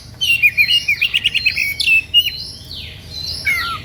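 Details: An Oriental magpie-robin (kacer) delivering an emotional playing song to draw rival birds into singing; fast stuttering series of short whistled notes, then wavering and sweeping whistles separated by brief pauses.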